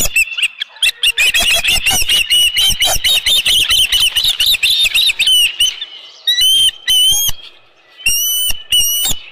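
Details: Ospreys at a ranch nest on 15 July 2018 around 7:55 PM, when a headless fish is brought in: loud, piercing whistled chirps in fast, steady runs, breaking into short bursts with pauses near the end.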